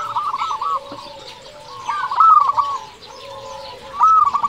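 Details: Local zebra dove song used to lure other doves and stir them to sing: repeated bursts of rapid, bubbling, purring coos, each phrase about a second, separated by quieter pauses.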